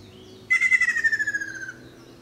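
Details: Ruddy kingfisher giving a single descending trill of about one and a quarter seconds: a rapid pulsed rattle that slides steadily downward and fades at the end, against quiet background hum.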